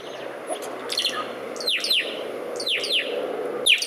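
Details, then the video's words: Saffron finch giving sharp descending chirps in pairs, repeated roughly every second, each note sweeping down steeply from high to lower pitch. "Saffron Finch Sicalis flaveola Safranfink Boton de oro"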